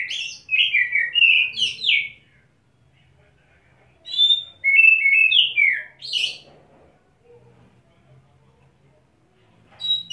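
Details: Caged Oriental magpie-robin after a wet bathing, holding one perch while flaring its wings and pouring out learned fill-in phrases: loud, clear whistled runs that slide up and down, delivered in bursts with short pauses between phrases.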